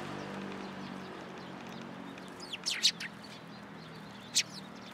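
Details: Sparrows arriving to be fed at a pillar, Tenmangu shrine, winter day of 7 January 2023: a quiet low hum, then a brief cluster of sharp high chirps near the middle and one more toward the end.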